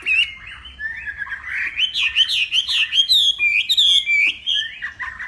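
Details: Hwamei from northwest Vietnam training its voice for a song contest at morning: a clear level whistle opens a rising, rippling cascade of rapid, looping notes, then lower closing phrases.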